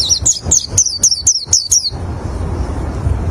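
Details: Oriental white-eye, song for luring other white-eyes, giving seven sharp high downslurred chirps in quick steady succession, about four per second, then stopping, leaving low background rumble.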